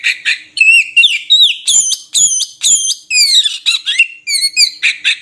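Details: Oriental magpie-robin, called murai kampung, singing a rich run of loud whistled notes, some rising and some falling, mixed with harsh buzzy bursts, delivered in quick phrases with short gaps and no other sounds.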